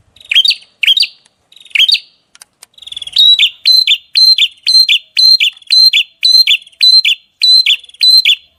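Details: Small bird opening with a few spaced squeaky twisting phrases, then switching to a fast, regular string of bright double notes, steady and loud, in 'tembakan' style.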